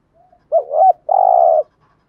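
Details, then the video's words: ["One 'gù thúc' phrase from a spotted dove, used to attract wild doves. A short rising-and-falling double note leads into a long steady coo, with a faint soft note just before."] "tieng chim cu gáy bài bản gù thúc bài bản, cu gáy giọng hay mở lên bổi gáy gù mỏi cổ"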